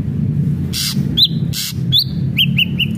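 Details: Brief burst of ashy drongo song, played to stir a captive bird into singing: two loud hissing blasts, then slurred whistled notes and three quick falling whistles near the end.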